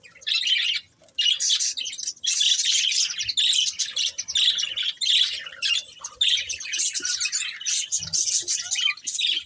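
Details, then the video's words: Breeding pair of caged budgerigars chirping steadily, a dense stream of high, scratchy warbled chatter and squeaky notes with only brief pauses, almost nonstop through the clip. "Cute Budgies Chirping Sounds"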